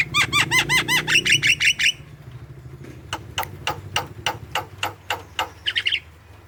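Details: Javan myna, jalak kebo, used to coax young or reluctant birds into calling: a quick run of looping whistled notes, then evenly spaced sharp clicks about every half second, with a steady low background hum.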